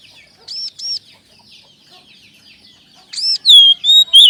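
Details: Oriental magpie-robin song used as a lure to get captive birds singing: two paired arched high notes early, a quiet pause, then loud clear whistled phrases with sliding, slightly wavering notes near the end.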